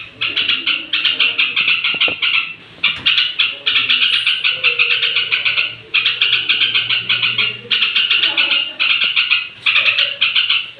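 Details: Bedtime straw-headed bulbul song meant to stir up rival bulbuls, heard as long runs of fast, rolling warbled phrases separated by short gaps of about half a second, with a low hum beneath.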